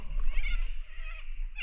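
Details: Cockatoos in trees near water outside Geraldton, Western Australia, calling noisily, possibly unhappy at a swimmer nearby: a harsh, raspy screech running unbroken for over a second, with a deep rumble of wind or water beneath.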